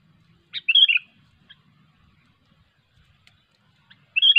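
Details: Sooty-headed bulbul singing in the cengkram over fighter style, recorded during hobby bird trapping: a short burst of bright whistled notes, a brief pause, then another burst at the end, with faint low rumble underneath.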